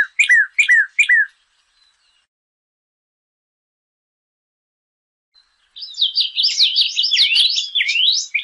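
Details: Northern cardinal song, used for teaching captive birds to sing: three quick down-slurred whistled notes, a long pause, then a dense rapid jumble of higher twisting notes lasting about two and a half seconds.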